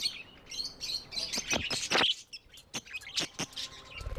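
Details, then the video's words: Tame pet budgerigars twitter with quick high chirps mixed with sharp clicking taps and a brief loud squeaky note, the chatter thinning toward the end. "Budgies amazing love & chirping sounds"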